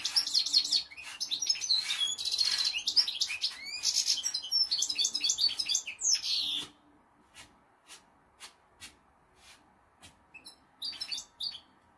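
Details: Two European goldfinches kept as pets, one aged six, deliver six seconds of fast liquid twittering and jangling notes, then near silence with scattered clicks and a short final twitter.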